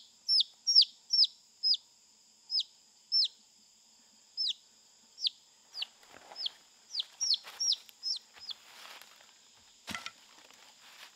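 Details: Wild chicken chicks, captured near a forest work area and caged in knitted enclosure to get used to people. Sharp, downward-sweeping peeps repeat steadily, then come faster amid light rustling and scratching, ending with a single knock, over a continuous high hum.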